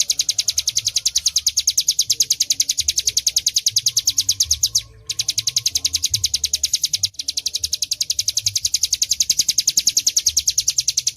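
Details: Hill prinia singing vigorously, used to tutor fighting birds: a long, fast string of high, thin chirps, interrupted by two very short gaps near five and seven seconds, otherwise continuous; faint low noise behind.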